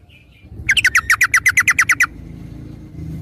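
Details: Sooty-headed bulbul song used as a lure to make other bulbuls sing quickly: a rapid run of about twelve bright chirped notes, evenly spaced, lasting just over a second, over a low background rumble.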